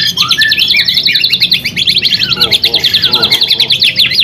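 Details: Caged white-rumped shama song meant to rouse other shamas' spirit and teach them its phrases: dense, fast chattering trill held high throughout, laced with rising and falling whistled slurs and brief lower chirps, loud and continuous.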